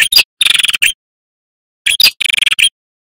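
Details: A male red-headed prinia sings loudly, its song meant for luring prinias, tailorbirds and ciblek and for tutoring young birds. Two short bursts of rapid, scratchy high chirps are separated by about a second of silence.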